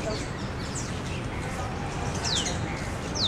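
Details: Rosy starlings on spring migration north, pausing in Delhi. Soft scattered chirps lead into two bright, quick downward-slurred whistles near the end, heard against a constant low rumble.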